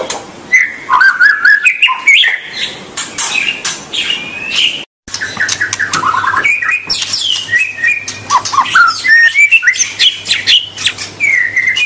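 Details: White-rumped shama singing to stimulate young birds: a long, busy stream of whistles, trills and harsh chattering notes, broken by a brief silence, with a low steady hum underneath.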